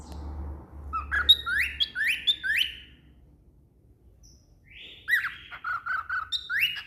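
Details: A pet cockatiel sings a run of bright, rising whistled notes, pausing briefly before starting again.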